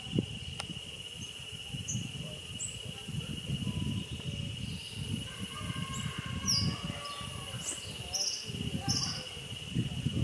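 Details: Scaly-breasted hummingbird in Caldera, Panama, giving short, high squeaky chips at irregular intervals over a steady insect drone, with low wind rumble.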